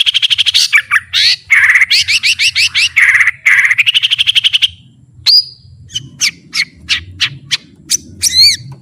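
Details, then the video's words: White-rumped shama song, used as a tutor recording to make birds more combative: loud rapid buzzy trilled phrases for several seconds, then a pause and a series of sharp clear whistled notes and chips, with low background hum. "MASTERAN MURAI BATU TERBAIK...MASTERAN PARA JUARA"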